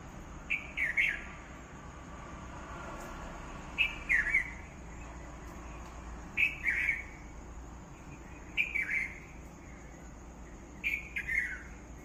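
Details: Across twelve seconds a bird repeats the same short phrase five times, a high sharp note sliding down into a twittering warble, every two to three seconds, with steady background hiss.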